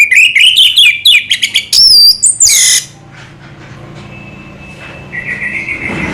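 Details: Orange-headed thrush, called anis merah in Indonesia, gives a rapid run of shrill, piercing whistled notes with quick slurs and sweeps, ending abruptly, followed by near quiet with a faint thin steady whistle.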